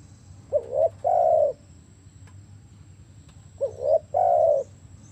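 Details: Spotted dove calling with paired phrases: a brief upswept coo followed by a sustained, soft, even coo, repeated once after a pause of about three seconds, with faint low rumble behind.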